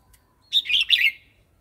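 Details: Red-whiskered bulbul singing a wild-style song phrase, played to teach young birds and to stir newly caught wild birds: one short burst of rich, warbled whistled notes lasting about half a second, with no other sounds.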